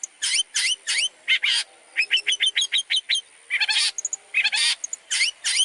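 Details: Long-tailed shrike training song, a rich mix of rasping bursts, upslurred whistles and a run of short clipped chips, delivered rapidly with few gaps.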